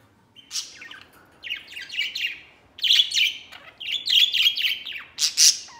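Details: Happy pet budgerigar, a white male, playing outside its cage; chattering warble in several bursts separated by short pauses, mixing scratchy notes, rising and falling twitters and a few sharp high chirps.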